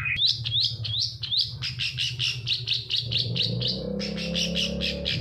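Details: Lure song of a long-tailed shrike, played so that silent birds start singing: rapid upswept whistles tumble into a dense chattering series of sharp notes, with a constant low rumble beneath.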